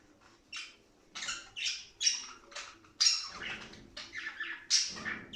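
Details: Budgerigar calls used to stimulate breeding: separate harsh squawks and buzzy chirps in short bursts about every half second, with a few thin whistles.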